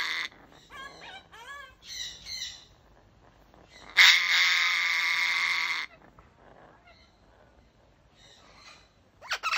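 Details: African grey parrot, one of a captive pair in Germany: rising and falling harmonic whistles in a quick series, then a loud, harsh, sustained two-second screech, followed by softer chatter and a final squawk.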